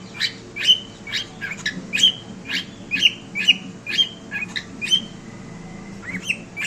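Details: Indoor pet cockatiel calling with a rapid, uneven run of bright chirps, each a quick upward flick with a brief whistled tail, roughly one every half second, over a low electrical hum.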